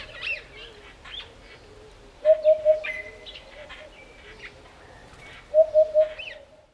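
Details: Eurasian hoopoe calling in Botswana's African bush: two evenly spaced triplets of soft, flat, hollow hooting notes about three seconds apart, amid scattered chirps and twitters of other birds.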